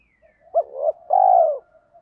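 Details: Single coo phrase from a spotted dove with thổ pha đồng voice, used to lure wild doves: a clipped opening note, a rising mellow coo, then a sustained falling final coo, with faint soft notes around it.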